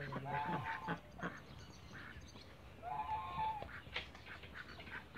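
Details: Backyard flock of Cayuga ducks giving harsh, repeated quacks at varied pitch, with a few drawn-out nasal calls, over a constant background hum.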